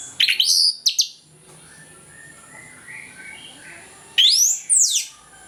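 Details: Orange-headed thrush in full morning ngeplong song, played to prompt lazy or moulting birds to sing. Loud bursts of quick, high, swooping whistled notes at the start and end, with a quiet gap between.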